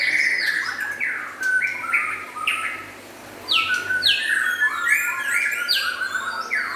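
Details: White-rumped shama, local and forest-imported birds, delivering a lively song of short bright whistled notes that slur downward, grouped in quick phrases, with a brief pause midway before the phrases resume.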